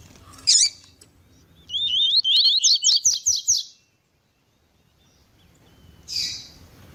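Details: Male double-collared seedeater with a female calling, recorded to warm up and strengthen a caged male's singing: a sharp high upslurred note, then a rapid run of bright buzzy two-part chirps for two seconds, a pause, and another brief call.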